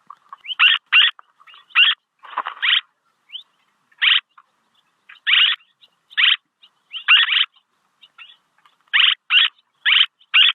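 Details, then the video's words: Swallow calls for decoying: buzzy grating notes mixed with softer twittering chatter, one longer rough burst early on, then a steady run of paired buzzes. "ສຽງນົກແອ່ນ ຄໍເລດ(ສໍາລັບຕໍ່) Tiếng én, Tiếng Chim Én เสืยงนกแอ่น"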